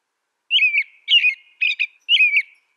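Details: Four short, warbling whistled phrases from an American robin, delivered at an even pace about every half second against silence.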